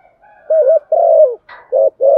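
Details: Spotted dove used as a decoy, calling in the morning to attract wild rivals to fight: a quick double coo, a long sustained coo, a brief rasp, then two more short coos.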